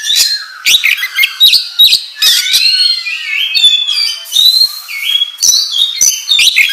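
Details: Oriental magpie-robin singing gacor ngobra as a lure for other kacer. Continuous varied phrases mixing harsh scratchy bursts with clear level and gliding whistles, loud and unbroken.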